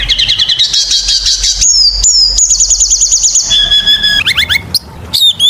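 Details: Kacer (oriental magpie-robin) singing hard as a lure for other birds: dense scratchy chatter, then a long rapid buzzy trill, steady whistled notes and quick sharp rising flourishes.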